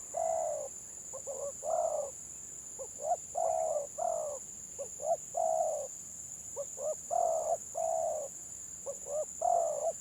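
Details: Village spotted dove singing in the stuttering 'gagap' style at a Gelang Patah dove contest: short broken coos in uneven clusters, with a constant high electrical whine behind.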